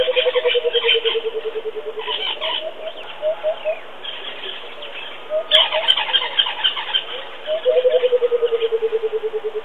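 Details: Coucal calling: a long series of low, hollow hooting notes falling slowly in pitch, given twice, with shorter rising note groups between and dense chattering from other birds above.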